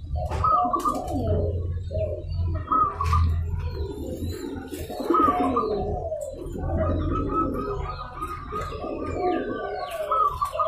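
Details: Local zebra dove calling to provoke a rival into calling back: soft cooing phrases repeated roughly every two seconds, each a short run of rolling notes ending in a higher accent, with a low hum and faint clicks behind.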